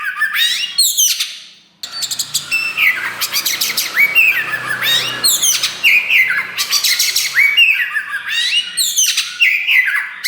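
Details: Black 'wulung' Oriental magpie-robin, just starting tail pushing, singing loud and nonstop. Scratchy descending phrases and a pause are followed by dense bursts of chattering clicks, bright whistles and slurred notes, with a faint low hum beneath.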